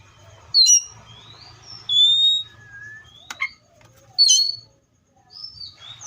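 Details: Seychelles magpie-robin song: scattered loud whistled phrases, some sliding and some sharp and clipped, separated by pauses, with a faint low hum underneath.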